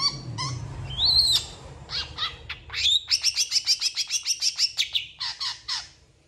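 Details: Singing long-tailed shrike said to mimic cats and chickens, recorded as a tutor for contest birds; a rising and falling whistle, scattered chirps, then a quick, even train of high, sharp notes.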